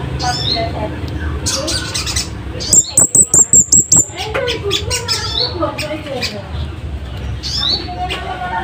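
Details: Scarlet-headed flowerpecker giving a loud, sharp wild-style voice meant for tutoring caged birds: a quick burst of six or seven high, thin ticking notes, with other bird chatter and squawks before and after.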